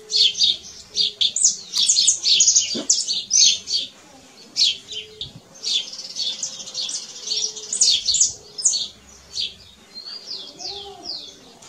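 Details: Canary singing in nature: bursts of high, rapid trills and sharp chirps broken by short pauses. Quieter warbled phrases follow, with faint low background sounds and a soft lower whistle near the end.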